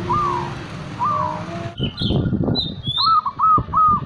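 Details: Local zebra dove (perkutut) cooing in the manggung style, used as a lure to bring other doves into breeding condition. Short falling coos come in a pair, then an abrupt cut, thin high chirps from other birds, and a quick run of three coos.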